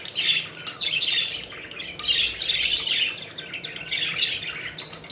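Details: Budgerigars kept as pets playing and flying, loud chattering warbles in three main bursts with short squawks and a sharp whistled note at the end.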